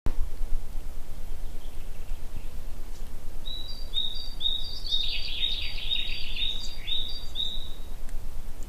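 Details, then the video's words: Black woodpecker in its natural forest habitat on a spring walk gives a quick series of about nine high, ringing notes over four seconds, with a harsh burst in the middle, over steady low rumble. "BLACK WOODPECKER"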